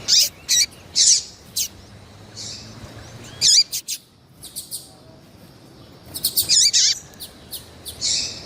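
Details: A female variable seedeater in heat calls steadily: high chirps in loose clusters, some with falling hooked tails, separated by short quiet gaps.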